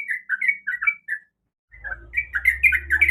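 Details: Calling female sooty-headed bulbul summoning a male: a few short liquid whistled notes, a brief silence, then a faster burst of bubbly notes over a low humming background.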